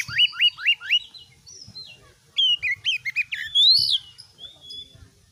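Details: Oriental magpie-robin singing in a cage as a tutor recording: four rapid descending whistled notes, a pause, then a jumble of chirps ending in a loud rising whistle and a thin sustained note.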